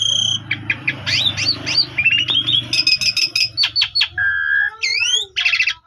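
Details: Morning lure song of an Asian pied starling used to call a rival: rapid varied whistles and chattering notes, a flat whistled trill, then upswept whistles and a harsh burst, over a low steady hum.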